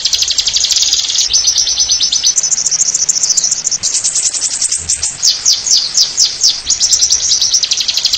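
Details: Ngeriwik nyembur singing by an oriental white-eye for masteran use: unbroken high, fast trilled phrases shifting into a series of sharp descending chirps, with steady hiss underneath.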